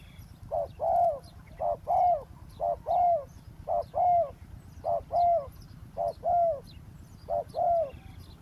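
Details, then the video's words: Spotted dove cooing while luring a wild dove by a roadside on the ground: evenly spaced pairs of a quick note and a longer purring coo, about once a second, over steady low hum. "เสียงนกเขาใหญ่ ต่อ นกเขาใหญ่"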